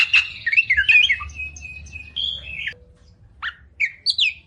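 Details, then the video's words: Caged Oriental magpie-robin giving tutor song with 'tembakan' notes: a fluty warbled phrase drawn into a long steady whistle, a pause, then a few scattered sharp chirps and rising whistles. "Masteran Burung Kacer Full Isian Tembakan"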